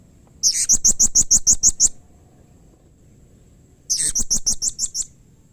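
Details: Two bursts of sharp, very high chips from a blue-crowned hanging parrot, each burst about eight to nine rapid notes, separated by a two-second pause. The call is used to get other hanging parrots to respond.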